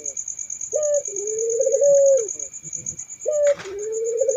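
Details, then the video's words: Barbary dove coos: a short raised note leading into a long, level, mellow coo, repeated twice, with a wing-flap-like burst between them and an unbroken high insect buzz behind. "suara burung puter merdu syahdu"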